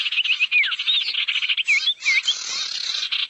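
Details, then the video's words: Barn owl lure for attracting owls: dense, rough screeching notes in rapid succession, overlaid by a few short curved whistles that dip and rise. "SUARA PIKAT BURUNG SIRTU NGUMPUL"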